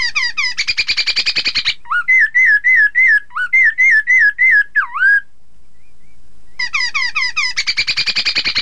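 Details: Song of a Chinese hwamei meant to make opposing birds answer: fast rattling trills open, followed by a string of rich rolling whistles with a dipping final note, a silence, then more quick trilled phrases.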